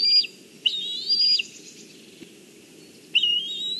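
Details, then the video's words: Juvenile black kite on a branch in Kurzeme, Latvia, on 14 July 2023, calling when its mother comes in with fish but not going to eat. Two to three thin, wavering whistles, then a pause before a final rising cry. "Mom with fish, Bronza on a branch calls, but does not go to eat"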